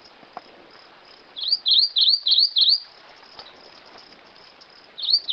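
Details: Grey-eyed greenlet song: a run of five high, quick, dip-and-rise whistles, a pause with faint hiss, then two more notes beginning another phrase.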